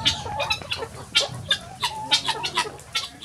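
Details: Morning flock of chickens rushing from the coop to free range, sounding short, harsh clucks and squawks roughly once a second, several birds calling over one another.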